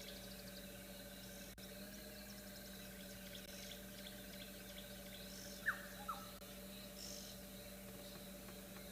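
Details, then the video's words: An oxpecker flying over at dawn in Djuma Private Game Reserve, 23 November, after rain: two sharp, quick descending notes close together, over a steady engine-like hum and faint high chirps from other birds and insects. "You can hear an oxpecker"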